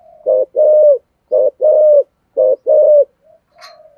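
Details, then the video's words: Spotted dove giving 'thổ'-style coos meant to provoke wild doves. Four evenly spaced pairs, each a brief hoarse note then a sustained level coo. A faint soft note and a light high click follow at the end. "cu gáy giọng thổ thúc gù + gáy gọi giọng rất chuẩn để kích bổi"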